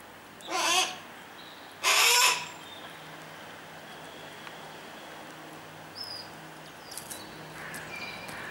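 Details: Kept Harris's hawks tending their babies: two loud rasping screeches about a second apart, then quiet with faint scattered chirps and clicks.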